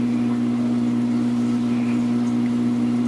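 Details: A steady, loud mechanical drone holds a low tone throughout, like an idling engine, with no animal voice heard.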